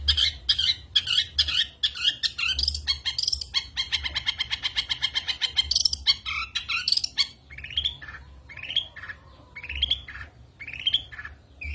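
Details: Long-tailed shrike singing full-burst fill-in phrases (isian) as a master recording for contest songbirds. Scratchy chatter gives way to a fast, even rattle, then a series of separate rising whistled sweeps.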